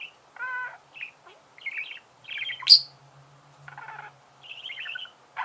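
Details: Budgerigar calls given as scattered short chirps, nasal harmonic notes and a sharp high squeak, with quiet gaps and a low hum in the background.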